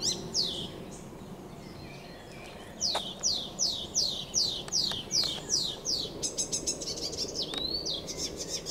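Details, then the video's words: Icterine warbler song, recorded 15 June 2023: a fast run of high, downslurred notes, about three per second, then a jumble of varied squeaky and chattering phrases over a soft background hum. "Śpiew zaganiacza zwyczajnego"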